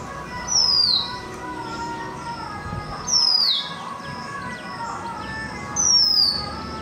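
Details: Oriental magpie-robin singing: loud, clear whistled notes sliding downward in pitch, given three times at roughly two-and-a-half-second intervals over a steady low background hum.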